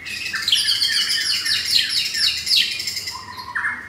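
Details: Rough-material song from a captive F4 blorok white-rumped shama, Jakarta: dense, harsh, rapid high chattering notes tumble downward in quick strokes, ending with a lower whistled rising slur.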